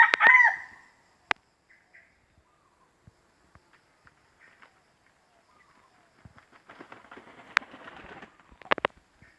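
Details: Wild red junglefowl in a Riau plantation forest: a brief crow at the start, then quiet clicks and a stretch of rustling like wing flapping or movement in foliage.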